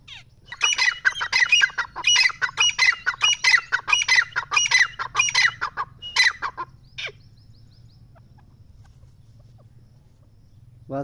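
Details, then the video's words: Partridge (teetar) in high spirits calling in a long rapid series of harsh, rasping notes, roughly one and a half per second, stopping abruptly after about six seconds; quiet follows, then a brief sound at the end. "teetar ki awaz | teetar ki boli"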